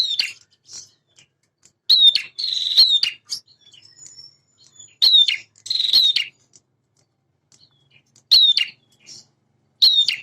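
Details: Vigorously singing male prinia utters scattered bright chips and short buzzy trills in bursts, with long quiet gaps between phrases and faint high notes in the background.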